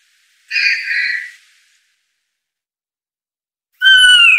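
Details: Blue jay (Cyanocitta cristata) gives one harsh, scratchy note, then silence, then a clear ringing whistle begins at the end. No other sounds.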